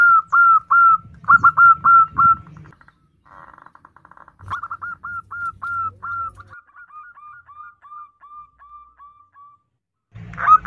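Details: A female zebra dove calls for the male: loud clipped cooing notes in quick bursts, then a long even series of hooked coos that slowly fades and softens, with a low droning hum in places.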